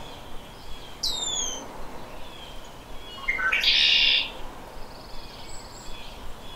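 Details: Red-winged blackbird, the male's conk-la-ree song that marks territory and attracts females: a pair of thin high descending whistles, a second of quiet, then short lower notes leading into a harsh, shrill buzzing trill about a second long.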